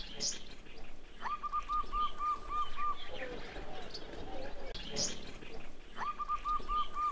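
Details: Zebra dove (Geopelia striata), cooing call.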